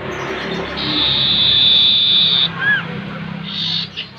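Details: Common Iora (cipoh) lure: a steady buzzy high tone lasting nearly two seconds, then a short looping whistle and a briefer buzzy tone.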